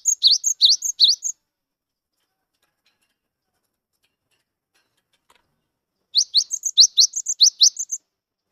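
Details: Cinereous tit, a recently caught wild gelatik wingko, singing to prompt silent birds: two bursts of quick, upward-sweeping chirps mixed with higher, flat whistled notes, split by about five seconds of silence.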